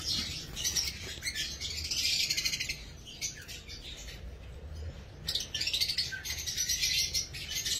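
Lovebirds chatter in dense, high-pitched bursts of rapid shrill chirps and squeaks, with a short lull midway before the noisy chattering resumes.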